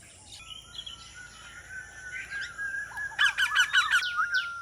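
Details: Indian Ringneck parrot bursting into a rapid burst of about six harsh, rasping notes after a stretch of softer whistles from other birds, with a steady background hum.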